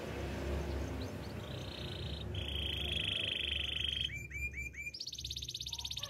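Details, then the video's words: Russian canary singing: a steady trilled tone, a long buzzy roll, then quick upslurred notes and a fast pulsed trill near the end, over a low background hum. "Canary birds chirping - Russian canary song"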